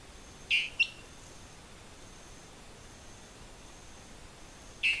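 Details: Dwarf Tyrant-manakin near Mitú, Vaupés, Colombia: brief high two-part phrases, a thin note followed by a short tick, then the note again about four seconds later, over a steady faint hiss.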